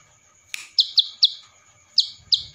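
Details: Ciblek sawah in a training recording, Cililin-style fill: one sharp click, then five spaced, buzzy high chips at uneven intervals across two seconds, with faint low rumbling near the end.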